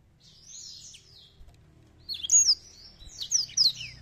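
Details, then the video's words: Black-throated canary from Botswana, wings open, singing high, fast twittering phrases of sweeping trills and chirps, starting softly and growing louder and busier toward the end. "BLACKTHROAT BOSTWANA ALUNAN ORIGINAL"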